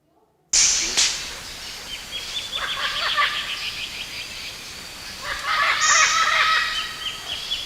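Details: Red-tailed Amazon from Brazil, played back in a classroom from a laboratory's animal sound collection: harsh, harmonic squawks in irregular bursts, some clustered and overlapping, with short high notes and a steady background hiss.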